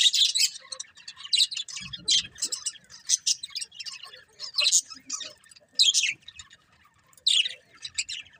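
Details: Chirping of colourful budgies: short bursts of bright, high warbling chatter separated by brief pauses, with a faint low rustle early on.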